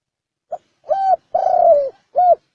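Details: Spotted dove with a 'bronze bell' (chuông đồng) voice, cooing to lure birds and stir up males and females; one phrase of a short note, two mellow hoots and a longer slurred falling coo, clean and close.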